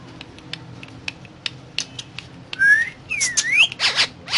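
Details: Indian ringneck parakeet talking while eating guava: scattered clicks, then a rising whistle, a V-shaped whistled dip and rise, and loud buzzy harmonic calls.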